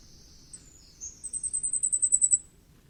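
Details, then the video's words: Common firecrest: a thin, very high series of about a dozen rapid notes that grows louder, led in by a few faint high slurred notes, with a quiet low background. "火冠戴菊的叫聲/Sound of Common Firecrest"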